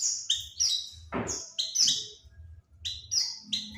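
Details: Oriental white-eye calling as a lure for other birds: clusters of high, thin chirps with short gaps, interrupted by a brief rustling noise burst, over a low background rumble.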